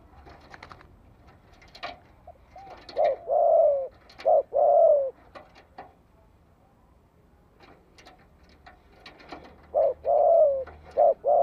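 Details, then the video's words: Spotted dove calling to lure wild birds into fighting; deep rolling coos in two bursts separated by a quiet gap, with scattered clicks and knocking sounds in between. "TIẾNG CHIM CU GÁY GỌI KÍCH BỔI GỌI MỒI || BỔI NGHE TIẾNG TỪ XA LA ĐẤU CỰC CHUẨN"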